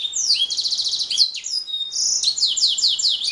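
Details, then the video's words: Atlantic canary singing: fast trilled phrases of repeated high notes, a rapid rolling series, a brief pause, then another run of quick descending buzzy-whistled notes, clear and loud with no other sounds. "Kicau Burung Kenari"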